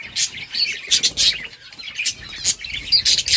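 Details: Budgies playing together, recorded October 30, 2023: short bursts of high, scratchy chirps and squawks come in clusters about every half second, with brief quieter gaps between.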